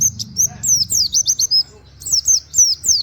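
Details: Short run of white-eye nembak song with canary-like "wit wit" notes for masteran: brisk, piercing downslurred chirps in two quick groups over a faint low hum.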